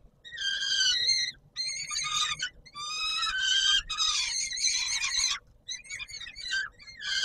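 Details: Peregrine falcon at the Palace of Culture and Science in Warsaw on 17 July 2022, at evening feeding time: loud, raspy wailing screams in bursts of about half a second to one and a half seconds, separated by short silences.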